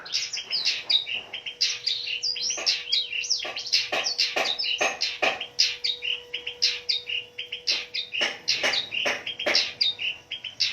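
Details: Fighter long-tailed shrike in full song, a lure to get silent stressed shrikes singing. Nonstop jumbled high chattering, squeaks and quick slurred whistles in tight clusters, with a faint steady hum.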